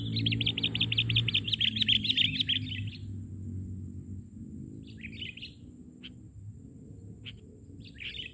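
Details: Sooty-headed bulbul in full song while on the ground: a fast rattling series of clipped notes for about three seconds, then scattered bubbly phrases and single sharp notes, over steady low humming background noise.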